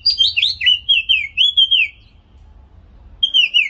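A white-eye sings a quick run of high, thin, warbling notes that rise and fall, pauses for about a second, then starts again.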